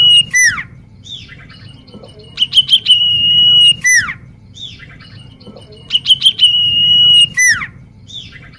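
Common iora singing a phrase of quick falling whistles and chips that ends in a long, steady high whistle, repeated about every four seconds over a faint low hum.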